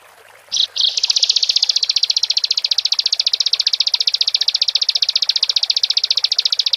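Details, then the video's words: After two short sharp notes, a bar-winged prinia launches into a long, regular, fast buzzing trill of high pulses, gacor song played to stir other prinias to sing. "Pendongkrak Emosi Ciblek | Ciblek Gacor"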